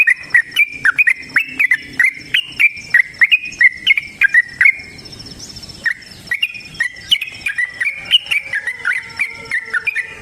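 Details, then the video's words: Long fighting song of a sooty-headed bulbul: a fast chatter of short, bubbly, repeated notes, about one burst per second, pausing briefly midway before resuming, with crisp clicks between notes. "TRUCUKAN GACOR TARUNG ROPEL PANJANG"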